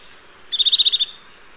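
A Eurasian nuthatch gives a quick trill of about eight high, even-pitched notes, delivered fast and steady over half a second, against a faint background hiss.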